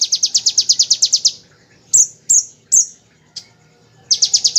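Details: Rapid 'ngebren' song of a Bar-winged prinia, made as a tutor recording for magpie-robins and shamas: a fast high trill fading out, three or four separate sharp chip notes, then the trill starting again.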